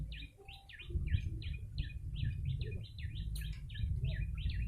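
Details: Yellow-bellied prinia used for luring birds, giving a string of evenly spaced, sharp chip notes about two per second. A single click breaks in midway, with steady low noise beneath.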